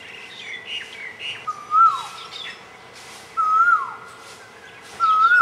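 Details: Black-naped oriole feeding in a fruiting tree, giving a fluid, looping whistled call with a short downward slur, repeated about every 1.7 seconds; faint higher chirps from other birds in the background.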